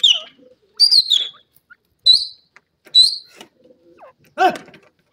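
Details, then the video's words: Grey francolin calling with shrill, high whistled notes spaced roughly a second apart, some doubled, followed near the end by a harsher, broader burst of sound. "dakhni teetar ki wonderfull awaj"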